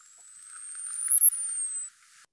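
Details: Male Costa's hummingbird vocal song, made with beak and throat: a single thin, very high whistle lasting about two seconds, rising slowly to a sharp peak and then sliding down, over a faint low hum.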